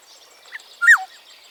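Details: African Black-headed Oriole (Oriolus larvatus) call: a fainter short note, then a single liquid whistle that lifts briefly and slurs downward, over a soft, steady hiss.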